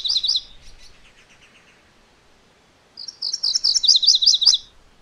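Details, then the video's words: Song of a MacGillivray's warbler: a fading end of one phrase, then, after a quiet gap, a full run of quick, high, buzzy repeated notes lasting nearly two seconds. "MacGillivray's Warbler Song ! MacGillivray's Warbler Sounds ! MacGillivray's Warbler Call"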